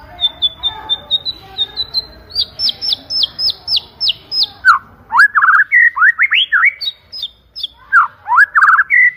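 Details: White-rumped shama song, loud and clear: a quick series of high whistled notes, then higher chipped notes, shifting into lower, swooping, rich whistled phrases with a few sharp clicks between them.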